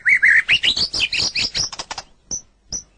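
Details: White-rumped shama song used to train captive songbirds: a quick run of clear whistled notes climbing from low to high, then a burst of sharp chirps and two thin high notes after short pauses.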